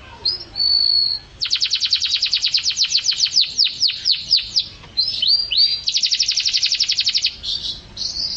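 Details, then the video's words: Canary song for teaching songbirds: a held whistle, then a rapid trill of sharp repeated high notes slowing into falling sweeps, followed by another fast trill and whistled end, clean background. "Suara Burung Kenari"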